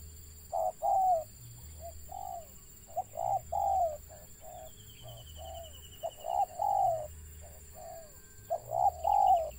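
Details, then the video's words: A wild zebra dove calls with a stutter, giving irregular runs of short, trilling coos, some clipped, some drawn out and falling, against a low steady background hum. "BURUNG TEKUKUR LIAR ADA GAGAP NYA"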